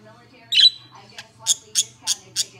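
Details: Pet budgerigars chirping indoors; one scratchy warbled squawk followed by a string of short, hissy high chirps roughly every third of a second.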